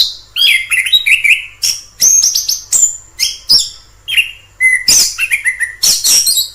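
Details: Orange-headed thrush in the wild pouring out a rich medley of whistles, quick falling slurs and scratchy high notes, phrases coming in close succession about every half second.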